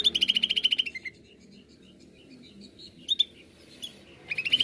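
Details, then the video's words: Greater green leafbird, 'nembak' song style used as a lure: a rapid run of bright high chips, scattered soft whistles during the pause, then a rising burst of quick notes at the end. "Cucak ijo nembak"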